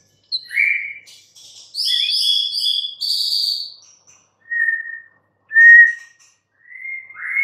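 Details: White-rumped shama singing a descending whistle, then a series of high buzzy, ringing notes, followed by three short clear whistles spaced about a second apart.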